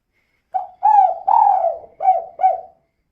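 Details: Female spotted dove calling in the 'kuk 2' manner to lure other birds into singing; a single phrase of five soft coos, the second and third long and drawn out, the last two short and clipped.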